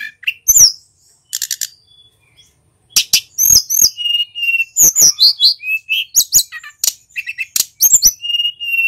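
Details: Male mountain white-eye from Pacitan, singing a full, nonstop rolling song that shows off its varied repertoire. Bright high chirps and sharp downslurred whistles come in quick bursts, with short pauses and level whistled notes between them.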